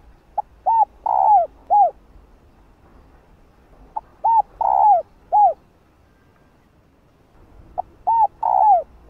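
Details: A female spotted dove coos to prompt males to answer, giving three phrases spaced about four seconds apart. Each phrase is a brief note, an arched coo, a longer falling croo and a final arched coo.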